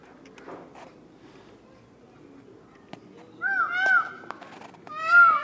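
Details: Peacock giving its mating call: after quiet murmured voices, two loud, nasal, wailing cries ring out, each an arched tone that swells and falls, the second one shorter, with faint human chatter underneath.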